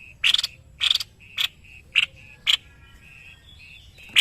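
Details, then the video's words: White-necked babbler, caged as a tutor bird in Indonesia, delivering rapid doubled chips, then single sharp notes, then a softer wavering whistle before a final chip. "BURUNG MASTERAN GACOR SEPERTI INI.JENIS TEPUS LEHER PUTIH"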